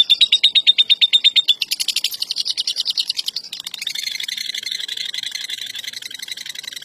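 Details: Champion lovebird, national first-place winner, performing long ngekek trilling: rapid, even, high-pitched rattle of repeated notes that shifts into a denser buzzy chatter partway through, sustained without a break.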